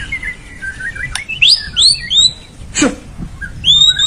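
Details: White-rumped shama song meant to prompt a lazy bird to sing: scattered clear whistled notes, some rising sharply, interrupted by a couple of clicks and a noisy swish.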